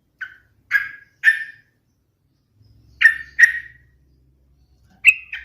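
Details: Sooty-headed bulbul giving short, harsh, chirping notes in loose groups of two or three, mid-pitched with a slightly buzzy edge, separated by brief pauses.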